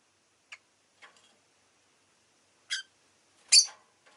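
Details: Soft ticking notes lead into two louder, grating chirps from a rosy-faced lovebird, the last one the strongest.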